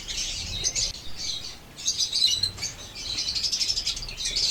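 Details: Pet lovebirds in Pakistan, blue opaline and parblue opaline colour forms, giving high, thin chirping chatter in short overlapping bursts, with brief lulls between outbursts.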